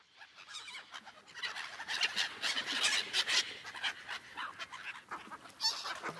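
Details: Seagulls on an ice lake: a dense, overlapping chorus of harsh, clamouring calls from many birds, peaking around the middle and again near the end, with a steady hiss of background noise.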